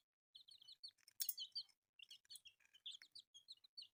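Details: Newly hatched chicks, colourful, in short bursts of high piping peeps about three per half second, with a brief harsh rasp in between and small pauses between the runs.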